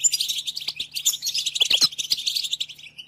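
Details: Goldfinch singing, a recording meant for training young songbirds: a short burst of quick, sweet twittering notes and sharp high chirps, ending on a thin rising note, over a faint steady hum.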